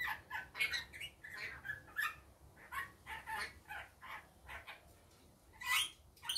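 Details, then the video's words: Rainbow lorikeet during the day with a run of quick, harsh chattering notes repeated roughly every half second, scratchy and uneven, ending in a louder shrill screech; faint low background rumble. "Rainbow Lorikeet daytime"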